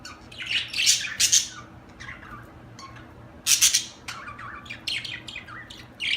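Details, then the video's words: Budgerigar chirping: bursts of bright, scratchy chatter and sharp squawks come in clusters with brief quieter gaps, and soft warbled notes run beneath them. "اجمل تغريد في العالم طيور الحب البادجي"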